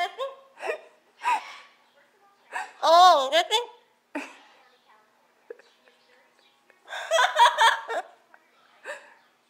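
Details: A pet yellow-naped amazon that speaks Spanish and English while watching TV chatters in speech-like phrases, with one loud, wavering, hoarse burst in the middle and a rapid babbling run near the end, as a person talks to it in between.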